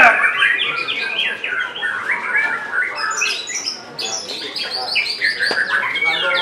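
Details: White-rumped shama singing in the top class of a bird-song contest in Semarang, Central Java, Indonesia, on 3 July 2022, where it won; quick bursts of whistled and chattering phrases jumping in pitch, with other contest birds behind.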